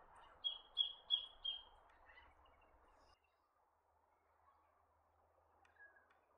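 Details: Black-faced monarch giving four clear whistled notes, each sliding downward, repeated about three times a second, followed by a faint higher note against low background hiss.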